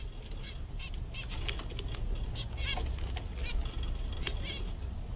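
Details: Zebra finches among seven contented captive finches on a summer day give short, nasal, toy-trumpet beeps, several birds calling in quick irregular succession over a steady low rumble and some wing flutter.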